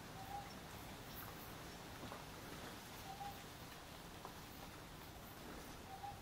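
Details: Wild Ryukyu scops owl (Otus elegans) at night in the rain, giving a short, soft, mid-pitched hoot about every three seconds, faint against a steady hiss of night insects and rustling.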